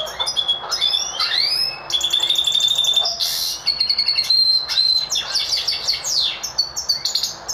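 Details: A goldfinch mule, a goldfinch x Lizard canary hybrid, sings a fast, high, tinkling song: twittering notes, bright rising slurs and a sustained silvery trill, with buzzy chirps mixed through.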